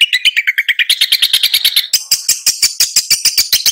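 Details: Long-tailed shrike delivering a fast, scratchy chatter of about three notes per second, the notes climbing slightly higher and harsher toward the end of the series.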